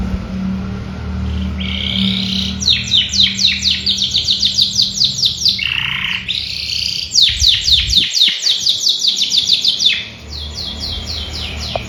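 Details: Canary singing a rich, varied song: fast runs of rapid downward-sweeping notes, about four per second, broken by a lower buzzy phrase, then more quick trills; steady low hum underneath.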